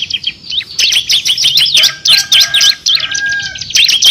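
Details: Bar-winged prinia (ciblek kristal), kept to train songbirds for contests, delivers dense bursts of high, twisting chirps and buzzy notes in quick, uneven phrases.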